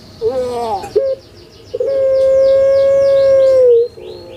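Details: Kept puter pelung collared dove from Java, Indonesia, whose call serves as a lure for reluctant birds: a short wavering opening note and a brief clipped one, then a long sustained even coo lasting about two seconds.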